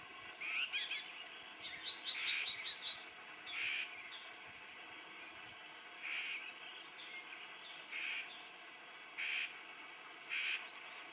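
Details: Common whitethroat, seemingly alarmed, giving short harsh chattering notes in irregular bursts, a quick rattling series near two seconds, then spaced single rasping calls every second or so against steady background hiss.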